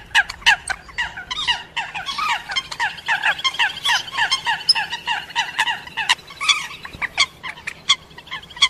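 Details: Eurasian coots give sharp, explosive 'pitt' and 'kowk' notes in rapid, overlapping bursts, mixed with the harsh croaks and clucks of moorhens in a mixed coot and moorhen call.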